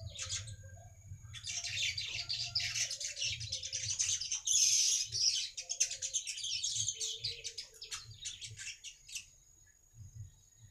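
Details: Baya weaver song played as a lure to attract other weavers: dense, fast chattering and wheezy buzzy notes in a high register, running almost continuously for ten seconds, with a steady thin whistle tone and low rumbling background.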